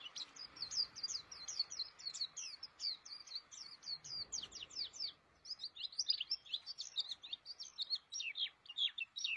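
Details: White-eye, known in Indonesia as pleci, singing eagerly in its cage: dense, high, twittering phrases of quick down-slurred chirps, almost continuous, with a brief pause midway.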